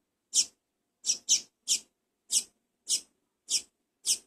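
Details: Double-collared seedeater nestling from a first captive brood, begging as it is fed. It gives eight sharp, hissing, high-pitched bursts in about four seconds, fairly evenly spaced, with one quick pair.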